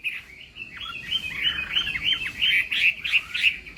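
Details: Chinese hwamei singing in a contest, morning voice training: fast, bubbling run of short whistled notes at a steady beat, somewhat muffled against light background hiss.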